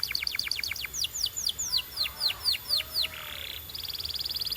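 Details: Canary song for training: a fast series of falling whistled sweeps that gradually slows, a short buzzy rasp, then a rapid, even high trill.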